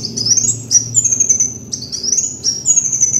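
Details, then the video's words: Kolibri wulung (Van Hasselt's sunbird) in a lure recording, giving very high, thin, rapid phrases, each a sharp upward-sweeping note followed by a sizzling trill, repeated about every 0.7 seconds with short gaps between. "MASTERAN PIKAT BURUNG KOLIBRI WULUNG"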